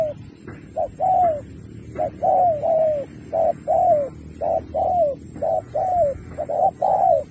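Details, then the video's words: Spotted dove in a 2024 contest, 'lối Thúc kèm Bo' song: a rapid, steady series of paired coos, a short note then a longer descending one, about ten phrases in close succession over a faint steady hiss. "Bài lối Thúc kèm Bo tráo trở nước như chim ngoại"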